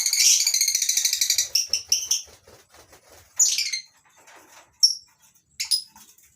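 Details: Morning in a mini colony aviary of a lovebird breeding farm: a rapid pulsing bout of shrill chatter, then separate sharp descending squeaks and short high chirps.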